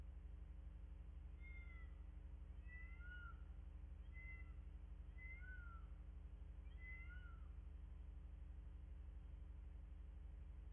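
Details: Wild bald eagles on a nest camera in Miami-Dade County, Florida, recorded 02/10/2024 at 09:14. A series of thin, high, squeaky whistled notes, some slurred downward, comes in bursts about once a second over a steady low mechanical hum.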